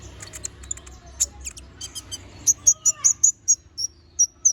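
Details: Little spiderhunter, locally konin, sings a sharp, insistent phrase: faint scattered chips, then loud, evenly spaced piercing notes repeated about three per second, with a low faint whistle in the background.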